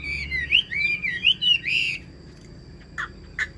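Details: Chinese hwamei in a cage giving a short burst of song: two seconds of looping, bending whistles ending in a harsh buzzy note, then quiet broken by two soft clicks.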